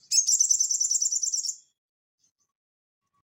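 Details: Crested jay rattling in 'ngeleper' style, recorded as tutor audio for cage birds: a rapid, dense, buzzy trill of repeated notes for about one and a half seconds, then silence and a brief sharp note at the end.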